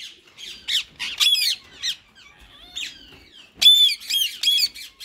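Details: Two rose-ringed parakeets, a white male and a green bird, in talking mode: soft chattering warbles, then a burst of rapid, loud, grating squawks near the end.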